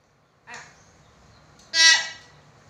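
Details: Common hill myna giving a soft rasping note followed by one loud, harsh, buzzy squawk, in a quiet room.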